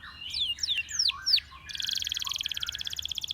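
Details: Belgian canary among canaries stirred into singing: several loud slurred downward whistles, then a long steady metallic trill of rapid repeated notes, about thirteen each second.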